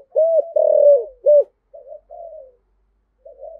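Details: Spotted dove in the 'giọng thổ' voice style, giving a luring call: soft low cooing phrases, a couple of stronger coos followed by quieter trailing notes, on a clean, silent background.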